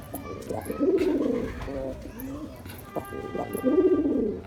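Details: Male pigeon calling to attract a female: two deep, rolling coos about three seconds apart, each swelling and then falling away, with faint chirps and background murmur between them.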